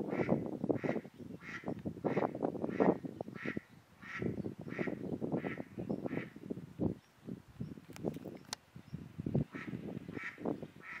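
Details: Ferruginous duck (Aythya nyroca) at Hraški mlaki ponds, Hraše, Slovenia, 26 March 2023, giving low, harsh, rasping notes in quick runs of several per second, pausing briefly between bursts.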